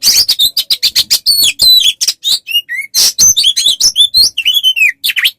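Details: Oriental magpie-robin song meant for tutoring songbirds: quick harsh chattering notes mixed with sweet whistled slurs, some dropping in pitch, delivered in rapid varied phrases.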